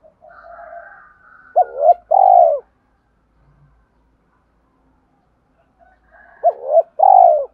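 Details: Spotted dove coo for training decoy birds: faint soft notes first, then a double-humped coo and a long falling coo, a silent gap, and the same phrase again.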